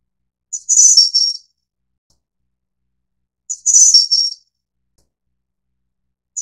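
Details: High, tinkling calls of a Snowy-browed flycatcher, Ficedula hyperythra innexa, a subspecies endemic to Taiwan. A soft lead-in pip precedes a bright rattling flourish, repeated every three seconds, with the next phrase just starting at the end.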